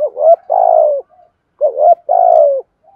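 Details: Spotted dove in 'giọng thổ' style, sung to attract wild doves. Two close phrases, each a swelling rising coo followed by a long throbbing descending note, with brief soft notes after.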